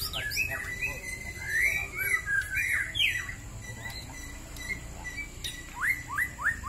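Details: Dueling white-rumped shamas from Bahorok and Marike: rich whistled phrases and slurred notes, a quieter stretch, then a run of four quick rising whistles repeated in a row, with steady low background rumble.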